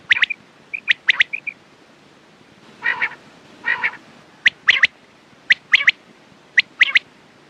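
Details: Quails calling, said to suit morning and night: clipped triple notes and two short whistles, two grating rasps at mid-clip, then spaced pairs and triplets of sharp chips.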